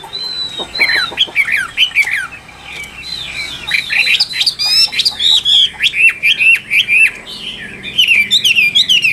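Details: Caged Chinese hwamei from Vietnam. Clear descending whistles open the phrase, followed by a brief lull, then a fast, jerky run of high bright notes and chattering flourishes.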